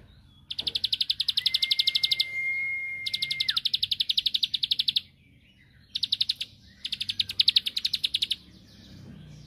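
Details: Bar-winged prinia song used to stir a rival to reply: bursts of rapid high clicking notes separated by short silences, with a long, thin, level whistle drawn out over the first burst.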